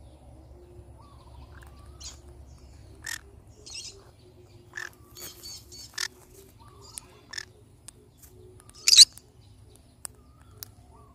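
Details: Pineapple conure parrot making scattered short sounds: clicks, scratchy chatter, a few soft whistled notes and one louder harsh squawk near the end, over a low steady background hum.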